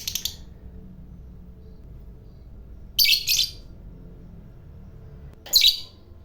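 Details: Lovebird of the fighter type, a bird kept for its long chatter (ngekek panjang) said to provoke other lovebirds: three short, harsh, buzzy squawk bursts, the last two close together, over a quiet low room hum.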